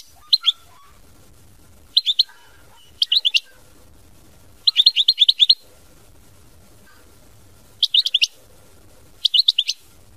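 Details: European goldfinch in mama binette style song: bursts of quick, high chirping notes in small groups, repeated every one to three seconds, with a longer trill of six or seven notes midway.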